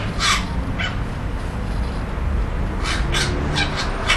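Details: Juvenile magpie calling: a couple of hoarse, chattering squawks, a pause, then a quick run of four or five rasping notes, set against a low droning background.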